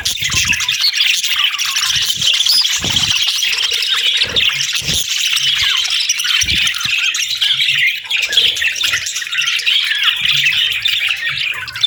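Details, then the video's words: Budgies on a peaceful morning keep up a loud, continuous mass of squawky chirps and warbling, with occasional low knocks and a faint rumble underneath. "Soothing Budgie Chirping Sounds"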